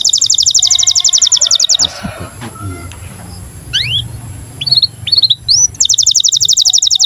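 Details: Canary in breeding condition, singing to train young canaries to sing and roll: a fast, even high trill, a pause with low rumbling, scattered rising whistled chirps, then the rapid trill resumes.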